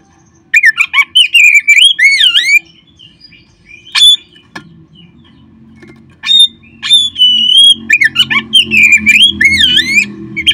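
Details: Oriental magpie-robin singing to set caged birds off: bursts of sweet, swooping whistles and sharp chirps, a few scattered notes in the middle, then another vigorous burst over rising low rumbling noise.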